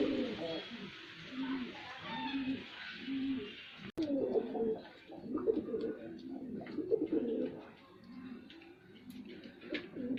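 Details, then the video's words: Male white pigeon performing: a series of low rhythmic coo pulses at first, then denser gurgling coos after a brief click, with light rustling behind. "Male Pigeon Super Performance"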